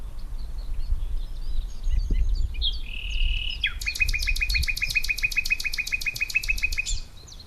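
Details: Common Nightingale, which sings all night and varies its phrases, recorded by day with other birds singing behind: a steady whistled note, then a long, fast, rattling series of rising strokes repeated evenly for about three seconds.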